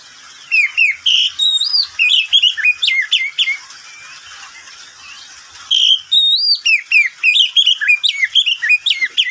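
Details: Midday song of a pet oriental magpie-robin: two long bursts of varied whistles, sharp chips and sweeping slurs, separated by a quiet pause of about two seconds, rich and fast-paced throughout.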